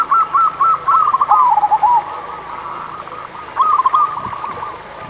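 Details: Song of local zebra doves used to encourage reluctant singers: a loud run of short, even cooing notes sliding into a falling trill, a quieter stretch of distant cooing, then another clipped phrase.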